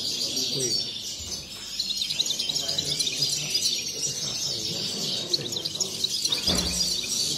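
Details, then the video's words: A singing competition for caged European goldfinches, held at Sant Joan Despí near Barcelona on 23 November 2019. Many high chattering trills pour out continuously, with soft voices below and a short bump near the end. "CONCURSO 🎥 SOCIEDAD PAJARIL SANT JOAN DESPÍ 23/11/19. JILGUEROS 1A PARTE"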